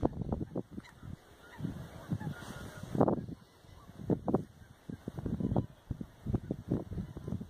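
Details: Flock of lesser white-fronted geese in February at the Oudeland van Strijen, Hoeksche Waard, Netherlands; scattered short honks and yelps from several birds over low background rumble.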